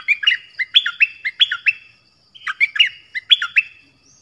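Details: Sooty-headed bulbul delivering clear, loud song phrases, each a rapid chain of bright whistled and warbled notes leaping up and down, repeated twice with a short gap.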